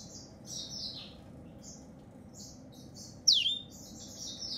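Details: Yellow-fronted canary of African origin singing: high thin twittering notes in short bursts, with one louder sharp downward-swooping note near the end, over a quiet low background hum.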